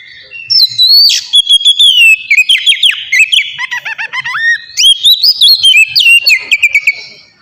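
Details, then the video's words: Oriental magpie-robin singing in the ngeplong style, used as a lure to get captive birds singing: loud, rich whistled phrases sliding up and down, broken by dense rapid chirps and trills, sustained almost throughout. "suara burung kacer ngeplong gacor sangat ampuh buat pancingan kacer bahan bikin cepat gacor"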